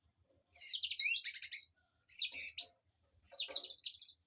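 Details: Birds singing in an aviary, recorded as master song for a white-rumped shama: three bursts of quick descending whistles running into rattling chatter, with short pauses between, and a constant thin high hum behind.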